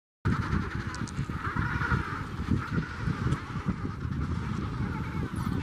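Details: Adélie penguin colony at Tay Head, Antarctica: many overlapping honking, braying calls blend into a steady chorus, with a heavy low rumble of wind underneath throughout.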